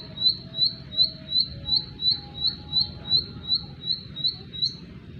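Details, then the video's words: Bar-winged prinia singing a steady series of sharp, high chirped notes, each one evenly spaced about three per second, with a faint low hum underneath. "ciblek sawah durasi"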